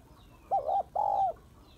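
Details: Spotted dove hen calling to rouse males, used to lure them: a loud two-part coo, a short wavering first note followed by a longer, even, slightly falling second note. The background is quiet.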